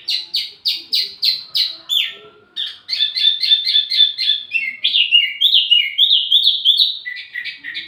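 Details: Wambi mini bird song intended for lure and tutoring use: a series of clipped, evenly spaced chirps, then a fast jumble of twittering notes rising and falling in pitch.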